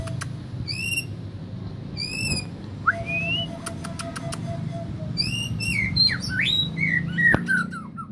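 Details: Male white-rumped shama imitating canary song: clear whistled notes with up-slurred phrases and downward sweeps, short rising whistles repeated several times, scattered clicks, and a steady low background hum throughout.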